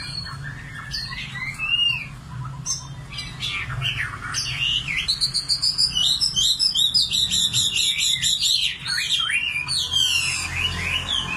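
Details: Common nightingale song: scattered sliding whistles, then a long loud passage of rapid repeated notes and pulsing trills, tapering to sweeping upward phrases, with a low hum beneath.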